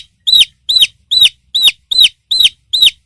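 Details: Chicks peeping: a high, arched, piercing peep repeats steadily, about seven in three seconds, against silence.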